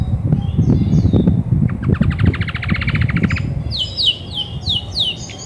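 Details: Grey and white female Belgian canary, which sings a lot when ready to brood: a rapid buzzy trill of repeated notes, then quick high downslurred whistles, over steady low rumbling and knocking noise.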